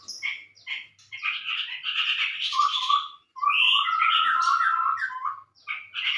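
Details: Chestnut-rumped babbler lure call for attracting birds: quick chattering notes, then a rough, dense warbling passage. After a short pause comes a bright run of whistled, trilling phrases, and brief chatters return at the end.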